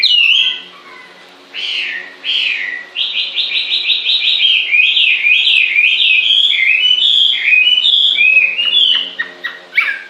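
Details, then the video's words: After a couple of separate chirps and a short pause, a bird launches into fast repeated stuttering notes, then a flowing sequence of looping whistled phrases, ending with scattered sharp calls. "Con chim hót suốt nghe mát ruột"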